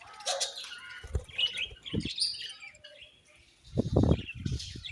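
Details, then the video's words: Budgerigar chirps: short high squeaks and warbled notes in bursts, mixed with low thuds and knocking sounds nearby. "Beautiful Budgies Chirping Sounds"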